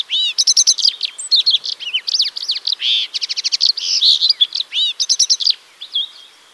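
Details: Yellow canary (Crithagra flaviventris) song: bright, high notes in rapid repeated bursts, rattling trills and a few sustained whistles. It runs continuously for five and a half seconds, then fades to quiet background.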